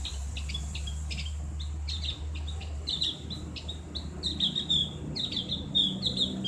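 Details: Opior jawa, or Javan grey-throated white-eye, in open-voiced ngriwik style recorded to train kept birds. Scattered high chips build into dense, rapid twittering runs toward the end, over a steady low hum.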